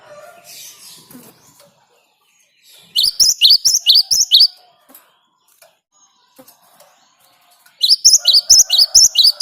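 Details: Forest great tit singing strongly, the rolling song used to draw other birds into singing: soft background noise, then two long sequences of quick, repeated high two-note phrases.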